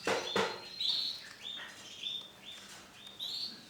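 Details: A white male canary singing: short, clear whistled phrases that slide and level off, spaced unevenly, with a couple of faint thumps near the start.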